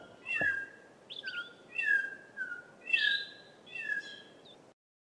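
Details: A Chorister robin-chat in a forest overlooking a small stream gives its see-saw contact call: about six rich, up-down whistled notes, each under a second apart, over a soft steady rush of background noise.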